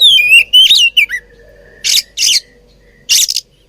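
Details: Oriental magpie-robin, described as fighting, gives a few clear, wavering whistled notes, then three short, harsh, rasping bursts spaced about a second apart; otherwise quiet.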